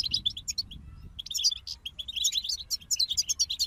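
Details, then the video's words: Singing European goldfinches in a group: scattered high chirps open, then a busy run of quick, sparkling twitters and buzzy notes that carries on steadily to the end. "King of Songbirds Goldfinch Group"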